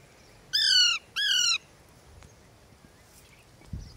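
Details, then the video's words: Ringneck and Alexandrine parakeets kept as pets. A pair of harsh, buzzy squawks sounds in quick succession, then quiet with faint background noise and a soft thump at the end. "talking Parrot"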